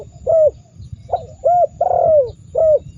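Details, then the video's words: Spotted dove cooing as a training recording meant to provoke rival birds into calling: five low, hollow coo notes in quick succession, each slightly falling, the fourth longer, over a faint low rumble. "Masteran burung tekukur super dahsyat membuat lawan ikut gacor mendengkur ngamuk"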